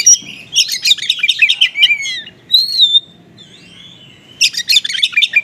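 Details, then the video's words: Konslet-style oriental magpie-robin with small-bird material, used as a lure for magpie-robins slow to respond: tumbling high trills and whistled slurs, a brief quiet gap, then another dense chattering burst. "PANCINGAN KACER KONSLET MATERI BURUNG KECIL"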